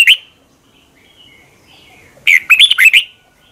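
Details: Red-whiskered bulbul singing in the morning, recorded for song training; a brief whistled phrase at the start, then after a quiet gap a burst of bright, warbling, rapidly changing notes.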